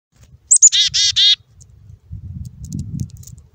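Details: A pair of wild black-capped chickadees greeting each other: two thin, very high whistled notes and then three quick, harsh, buzzy 'dee' notes, all within about a second, with faint low rumble afterward.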